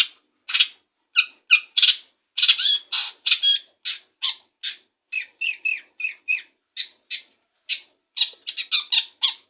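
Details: Long-tailed shrike in full voice on a morning just after its bath; sharp scratchy chirps and squeaky notes delivered in quick irregular bursts, some doubled or tripled, with short silences between.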